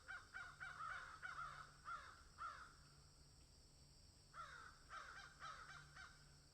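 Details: Crows cawing in a field: harsh, hoarse caws repeated in quick bursts of several, a pause near the middle, then another run of caws from more than one bird, with faint steady background hiss.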